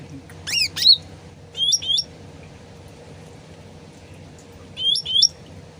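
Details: Sooty-headed bulbul, original sound used as a lure to make other birds answer quickly: a jumble of high chirps, then paired clear whistled rising-falling notes twice, over steady trickling water.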